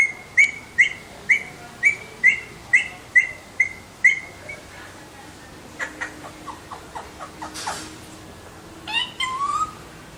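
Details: Alexandrine parakeets chirping: a steady series of sharp, clipped notes repeated about twice a second, followed by softer, quicker twitters and a brief rising whistle at the end.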